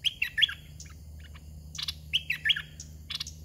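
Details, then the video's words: Caged decoy red-whiskered bulbul used to lure wild birds, singing two bright warbled phrases of three or four swooping whistled notes, separated by a pause with scattered clicks. "ต่อนกกรงดอกแตง (เจ้าช้าง) ตัวที่61. จัดลูกเสอป่าอ่อนๆ"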